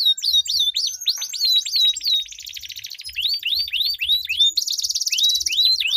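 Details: Canary duel song with long rolls, played to get stalled canaries singing: sweeping high whistles give way to fast, even trills and a bright buzzing roll, then further rapid swept notes.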